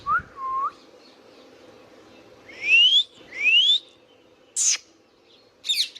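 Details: Indian ringneck parakeet calling: short whistled notes, then two loud rising whistles sweeping upward, followed by brief sharp high chirps, with quiet gaps and a low background hum.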